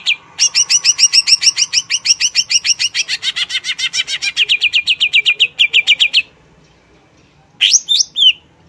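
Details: Long burst of greater green leafbird song: rapid, rhythmic chattering notes for about six seconds, gradually shifting in tone, then quiet and a brief flurry of sweeping whistled notes.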